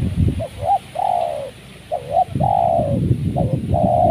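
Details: Spotted dove calling during bird trapping on a windy day, in the windy season: short paired coos followed by a long, drawn-out falling coo, repeated three times, with a low rumble of wind underneath.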